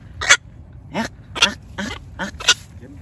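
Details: Black-crowned night heron used as a decoy to call its flock: five or six hoarse, downward-sliding croaks spaced about half a second apart, over a soft low hum.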